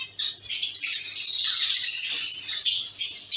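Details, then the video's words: Busy zebra finch colony in a cage: rapid, overlapping nasal honks and chirps form a near-continuous chatter, ending with sharp clipped beeps. "Zebra finch sound & activities"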